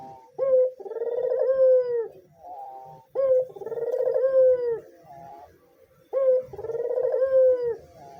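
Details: Three repeated phrases from a white dove, each a clipped upward note, a long trembling coo and a softer trailing note. The recording serves as a calling lure and as a stimulant for male doves.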